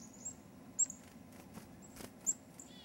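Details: Chickadee near Fergus, Ontario, in early 2008 gives three or four very high, thin, brief notes spread over about three seconds, against a faint low background rumble.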